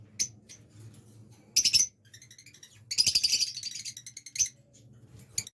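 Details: Blue lovebirds, a breeding pair, making harsh high chattering chirps, with a dense rapid burst of squeaky notes in the middle of the clip over a low room hum.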